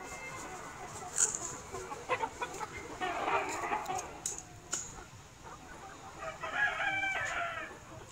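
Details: Free-range chickens, a mix of Noi fighting, bantam and crossbred birds, roaming a wide garden yard by day while foraging for insects and greens; soft scattered clucks and two brief bursts of harmonic cackling over a steady background hiss.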